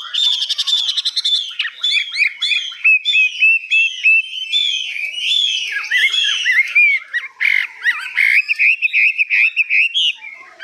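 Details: Hwamei in captivity delivering long high song phrases: opening rapid buzzy trill, then a long flowing stream of varied whistles and warbles that rise and fall, with quick repeated notes near the end.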